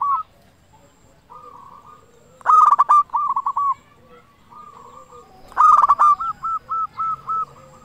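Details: Singing local zebra dove with a big voice, used as a lure to make other zebra doves sing; soft coo runs lead into two loud rolling bursts, the second trailing into a long series of short hooked notes.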